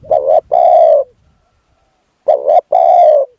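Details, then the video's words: Spotted dove used as a decoy for luring wild doves, two identical cooing phrases nearly two seconds apart, each a short wavering coo followed by a longer smooth coo, in quiet surroundings. "ต่อนกเขาใหญ่ พลาดเฉลยเสียงดีครับคารมสุดยอดครับ"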